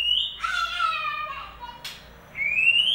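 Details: White-rumped shama song used as a lure to get a silent bird singing: a high rising whistle, then a rich harmonic phrase falling from about mid to low pitch, a sharp click, and another rising whistle.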